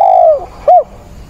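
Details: Spotted dove used as a decoy, cooing with extra vigour during a rainstorm on 28 October. A long, soft coo that slowly falls in pitch, a brief pause, then a short arched coo note.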